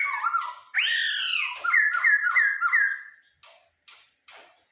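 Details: Vietnamese ornamental laughingthrush singing 'bắt cô trói cột': loud slurred and downslurred whistles, a run of four quick upturned notes, then three soft separate clicks.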